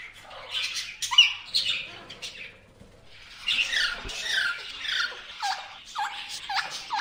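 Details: Indian ringneck parrot chattering with a jumble of squeaky, rising and falling notes, some in quick clusters, with a brief quieter stretch in between and a soft tap midway.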